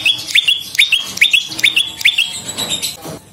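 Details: Prenjak lumut, the bar-winged prinia, as a lure and tutor recording: paired bright chips with a clipped whistle, evenly repeated about twice a second, trailing into softer notes at the end.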